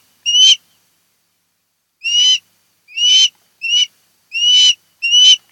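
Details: An osprey at a pair's nest on Kent Island, Maryland, between about 02:30 and 03:30 at night on 10 August 2018, gives seven high, clear, slightly rising whistled calls at uneven intervals against silence.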